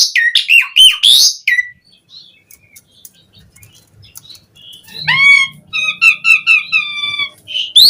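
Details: Asian pied starling singing, used as a lure to prompt other starlings to sing: harsh loud squawks and rasping notes first, a quiet gap, then a run of rich harmonic whistled trills.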